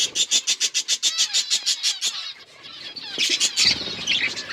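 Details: Budgies chirping: a fast even train of buzzy pulsed notes, roughly four per second, fading into a pause, then renewed squeaky warbling chatter.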